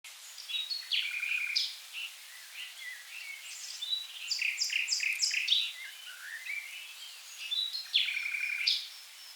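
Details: Common nightingale singing in the river Rhine wetlands of south Germany: a rich, varied run of high phrases, with short chirps, buzzy trills and clipped repeated notes following one another quickly over faint background hiss.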